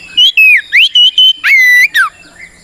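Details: Oriental magpie-robin (kacer) fight song used as a lure to make rivals respond: a rapid series of pure whistles, short and level, then upswept, then a long drawn note and a falling slur.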